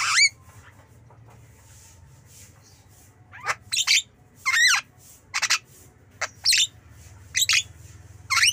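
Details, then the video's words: Javan myna (jalak kebo), a pet bird, producing sharp whistled and squawking notes with steep upward and downward sweeps, several quick pairs of calls after a quiet stretch, over a low hum. "Jalak Kebo Bird Jalak Kebo"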